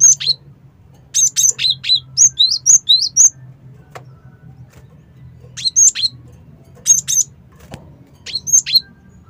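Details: Lure call of a cinereous tit: quick clusters of bright, high-pitched chirps, often in twos and threes, coming rapidly over nine seconds with short gaps, over a faint low hum.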